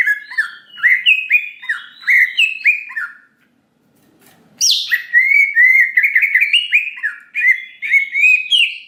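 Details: Greater green leafbird gacor lure song intended to make a listening bird respond: looping, slurred whistles in quick series, a silent break, then a harsh upward sweep followed by lively repeated whistled phrases.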